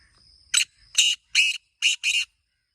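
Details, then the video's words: Five loud, raspy, grating notes from a black francolin delivered within about two seconds, the last two closely paired, over a thin high background whine. "کالے تیتر کی مست آوازیں 🔊 | یہ آواز سن کر تیتر ضرور بولے گا | Original Black Teetar Sound"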